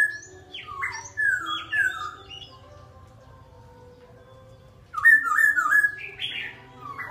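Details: Bird song with a few falling, warbling whistled phrases, a long quiet gap of nearly three seconds, then a renewed burst of bright chattering and whistled notes; low background hum.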